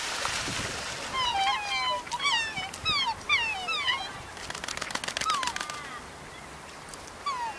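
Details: Black swans (Cygnus atratus) on a wetland, a group watching two swans fight, give a rapid string of high, bugling, upslurred overlapping calls, with bursts of splashing or wing-flapping in the middle.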